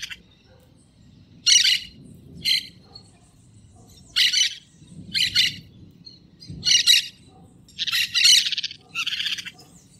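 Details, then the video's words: Wild green parakeets giving a series of about eight short, grating, screechy calls at irregular intervals, some doubled, with faint low rumble between bursts. "Periquito Cantando na Natureza"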